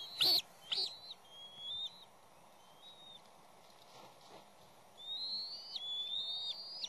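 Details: Bald eagle nest disturbed by a third juvenile that keeps returning after being knocked off: a couple of sharp loud clicks, then thin, piping whistles rising and falling, with a cluster of slurred whistles near the end.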